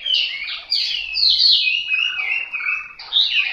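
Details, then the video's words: Chinese hwamei singing a rich run of loud, clear whistled phrases that slide up and down, some phrases rising sharply and others falling, with brief gaps between them. "Họa mi mộc"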